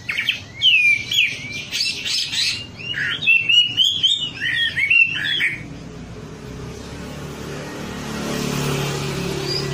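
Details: Wambi lure song for training birds to sing: about five seconds of quick, twisting high whistles, then the singing stops and only a low hum and hiss remain.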